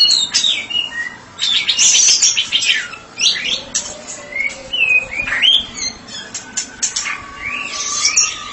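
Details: White-rumped shama singing: bursts of harsh, buzzy chatter mixed with clear swooping whistles and a long high sustained note near the end.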